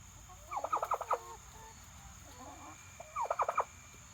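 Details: A female turkey, apparently reacting to her reflection as if to another turkey, gives two bursts of rapid, gobble-like rattling notes, each about half a second long and about two seconds apart, over a steady background hum.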